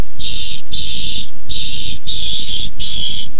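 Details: Barn owls fighting over a tiny mouse, 6-4-15. Five loud rasping hisses of roughly half a second each come in quick succession, separated by short pauses, with a low droning rumble throughout.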